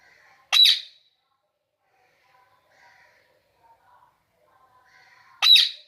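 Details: Indian ringneck parakeet, also called Kashmiri parrot, kept as a pet indoors: two loud harsh screeches about five seconds apart, with only faint murmuring sounds in the quiet gap between them.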